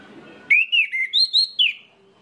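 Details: Orange-headed thrush song used as a lure to get other birds of its kind singing: a quick phrase of about six clear, slurred whistles, some rising and some falling, lasting just over a second, with soft background murmur before it.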